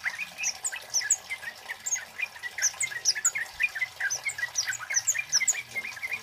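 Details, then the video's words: Loud male Orange-headed Thrush (kemade) song with imitated chili-bird and flowerpecker notes, used as a lure and tutor song: bright, sharp, high chips and ticks delivered in rapid bursts several times a second, steady and continuous throughout. "SUARA BURUNG KEMADE CABE CABEAN BUNGA API GACOR LANTANG"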